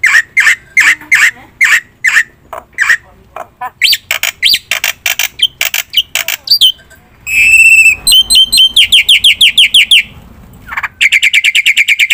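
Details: Black-winged myna in rich varied lure song: rhythmic buzzy squawks, dense harsh chatter, then fast trilled runs of repeated whistled notes.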